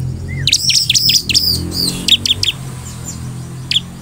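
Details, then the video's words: Song of a crescent-chested puffback, played so others will respond: a rising whistle, then a quick string of high chirps, a few spaced notes, and one final chirp, with low background hum. "SEKALI PUTAR SUARA CIBLEK GACOR INI Di jamin semua CIBLEK Bakal langsung merespon"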